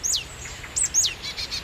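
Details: Adult marsh tit alarm call at its nest as a tawny owl perches 15 metres away in evening sun during breeding season: three thin, sharply falling high notes, then a short run of rapid buzzy notes, all within under two seconds.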